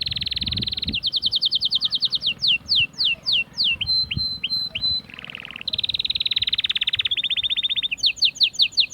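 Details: An Atlantic canary (Serinus canaria) sings a fast, continuous song of high trills, quick rolling phrases and downward-sweeping whistled notes, with abrupt switches between tours; the song is presented as one that stirs females to mate.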